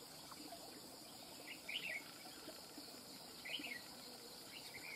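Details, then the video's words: Red-whiskered bulbul, a wild-caught bird, sings cầu cánh mỏ song. Two brief, liquid warbled phrases rise and fall, about two seconds apart, over a constant buzz of crickets. "Chào mào BỔI VIP CHÉ | SIÊU CẦU CHẠY NHƯ MÁY | CẦU CÁNH MỎ CỰC HAY"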